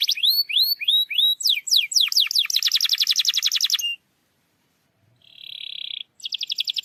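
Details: Canary song meant to stir a lazy canary into singing: a string of rising whistled notes, a fast rattling trill, a brief silence, one steady buzzy tone, then the trill returns.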